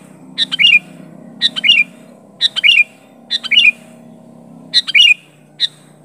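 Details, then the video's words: Sooty-headed bulbul calling at a rival in its genuine voice, no inserted fill-ins; five clear phrases roughly a second apart, each a few fast chirps running into a hooked, descending whistle, then a lone chirp, over a low background hum. "Suara Burung Kutilang Gacor Memanggil Lawan Asli tanpa Isian Menekan lawan"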